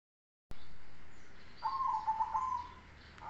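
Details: Zebra dove of the cemani Kolbuntet type giving its bass song: a single mellow, trilled coo held for about a second, set against steady background hiss.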